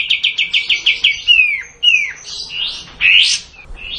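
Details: Sooty-headed bulbul, or kapas tembak, in the long 'tembak' song style. Begins with a short run of quick repeated notes, then shifts into several descending slurred whistles and warbled, bright phrases.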